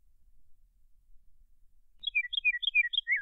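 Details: Scott's Oriole singing: after a quiet start, a quick run of short, clear whistled notes, some slurred up and some down, follows in the last second. No other sounds are clear.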